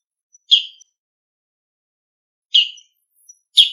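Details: Bull-headed shrike (Lanius bucephalus) autumn ground call: three harsh, rasping calls, each about a third of a second, spaced irregularly against a quiet background.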